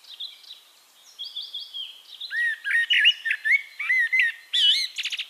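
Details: In Castricum, the Netherlands, a Eurasian blackbird sings over faint background twittering: a loud run of warbled fluty notes at varied pitches, finishing with rapid thin squeaky twitters.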